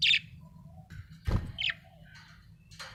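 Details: Happy budgerigar with sparse chirps: a bright high note to open, a thud and a brief buzzy chirp in the middle, and a fainter high note near the end, over quiet warbling.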